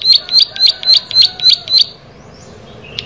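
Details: Plain prinia singing a short burst of seven clipped, buzzy chirps in quick regular succession, then falling quiet, with a faint thin note at the end.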